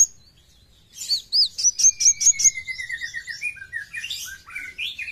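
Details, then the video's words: Besetan song of a kowul (brown-throated sunbird): a burst of rapid high-pitched chirps followed by a long thin descending whistle and jumbled warbling phrases. "KOWUL GACOR FULL BESETAN"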